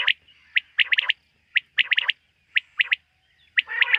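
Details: Quail heard at night: a pattern of one short note followed by a rapid triple, repeating roughly every second, ending in a harsher rasping phrase.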